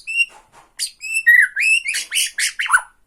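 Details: Bornean white-rumped shama singing to provoke a rival: short, clear whistled notes, a long sliding whistle, then a quick series of rich, varied warbled phrases.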